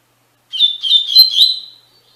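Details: Double-collared seedeater singing the Tui Tui Fibra song style, a training recording for captive young brown and adult black birds; one warbled phrase of quick, slurred whistles, about a second long, ending in a sustained level note, with no background sound.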